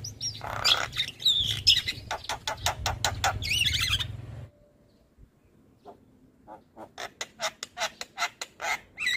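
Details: White-eyed Javan myna (jalak kebo) lure song to get lazy birds singing: busy harsh chatter and whistles over a hum, a short pause, then rapid evenly spaced clicking notes.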